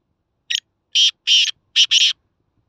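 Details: Black francolin from Khushab giving a harsh, grating call: one short rasping note, then two longer drawn-out scratchy notes, a pause, and a quick paired ending. The phrase is loud and clear against a silent background.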